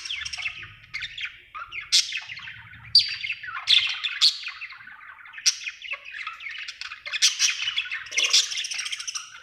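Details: Cheerful budgerigar chirping: harsh chattering phrases punctuated by loud squeaky notes roughly every second, a continuous warble over a quiet background.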